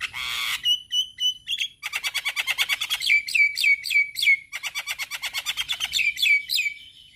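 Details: Male Javan myna singing a chattering song used to teach other mynas new sounds: a short harsh burst, then long runs of rapid clipped notes with sharp downslurred whistles, repeated about three per second.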